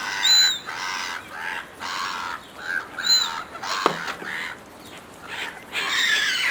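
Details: Seagulls competing fiercely for food thrown to them by a person: loud, harsh, harmonic-rich cries rise and fall in overlapping bursts roughly every second, with a brief thud partway through.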